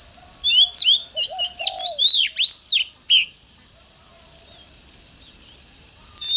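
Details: Morning song of an oriental magpie-robin, for training intense song: a dense two-second string of rising and falling whistles and chirps, low cooing notes beneath, then near silence with a persistent high tone.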